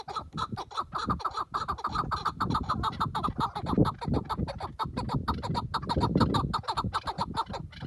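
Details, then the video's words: A tethered decoy chukar partridge used in partridge hunting gives rapid, repeated clucking chuk notes in a steady, excited run over a low rumble of background noise. "EN GÜZEL KEKLİK SESİ"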